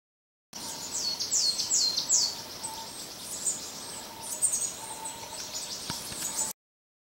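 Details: Pere David's tit on a trail near Pearl Shoals waterfall, Jiuzhaigou, 24 June 2014: a quick series of very high thin downslurred notes, then fainter high calls, over steady rushing waterfall noise.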